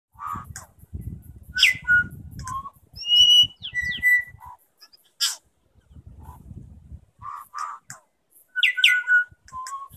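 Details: New Zealand bellbirds singing against each other at Gore Bay, New Zealand: clear bell-like notes, liquid whistles and sharp clicks in short phrases, one bird answering another, with low rumbling wind or surf beneath.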